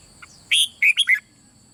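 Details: Short doubled-style phrase of the red-whiskered bulbul, meant to provoke other birds to sing: one soft chip, then three loud, fluty whistled notes, the last slurring downward.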